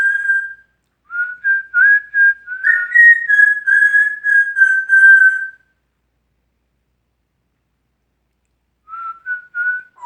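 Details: Male pet African Grey parrot whistling its own original compositions indoors: a run of clear, steady-pitched whistled notes lasting about five seconds, a long silence, then a few short rising notes.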